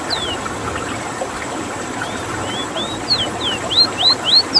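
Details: Ruddy-breasted seedeater (rowti) from Suriname, a rare bird, in rolling song: sweet whistled notes sliding down, then a fast repeated string of rising and falling whistles building louder toward the end, with constant low hum behind.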